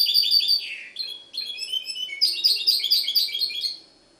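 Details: Mixto jilguero, a goldfinch hybrid kept in Ksar el Kebir, Morocco, delivers fast tinkling trills, a short downward slurred note, then a burst of busy, high, jingling twitters that fades out after nearly four seconds.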